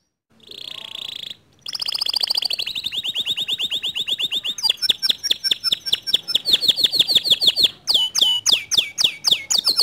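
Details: Canary song meant to make a lazy canary sing: a short buzzy burst, a long rapid trill held for several seconds, then faster chopped notes and a few sharp descending whistles.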